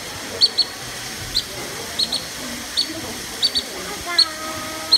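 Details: Black-necked stilt (Himantopus mexicanus) calling while leading visitors toward the jaguar area, wetland exhibit at Nasu zoo, Japan, 13 August 2020: sharp, high yipping notes, singly or in quick pairs, about two per second over soft hiss.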